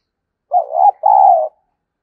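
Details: Decoy spotted dove cooing to stimulate other doves: a low, hollow two-part coo, a shorter first phrase with a brief break, then a longer steady note, against a silent background.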